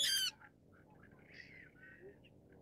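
A Brown-cheeked Rail gives one loud, harsh, squealing note lasting a fraction of a second. Faint, thin chirps of other birds follow in the background.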